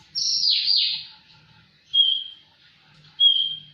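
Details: Javan bush lark giving a lively song: a long, loud, falling buzzy phrase followed by two short, clear level whistles about a second apart.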